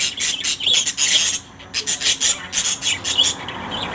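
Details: Lory calling in harsh, raspy screeches that come in about ten short bursts, each broken by brief gaps; little other sound in the background.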